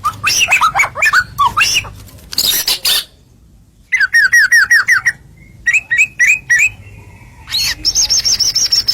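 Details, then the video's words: White-rumped shama masteran song meant to stir other birds to answer: scratchy chattering notes, then a run of repeated down-slurred whistles, a sustained flat whistle and a high steady trill near the end. "MASTERAN JUARA BIKIN BURUNG IKUT HACOR"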